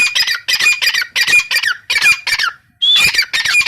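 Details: Female grey francolin calling, a loud harsh squawking note series, each burst about half a second long, repeated rapidly with a short pause before a final higher, sharper phrase.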